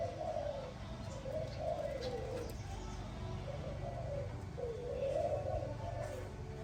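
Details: Spotted dove cooing in the morning, a series of soft low wavering coos in phrases, heard faintly behind a constant broadband hiss and low rumble.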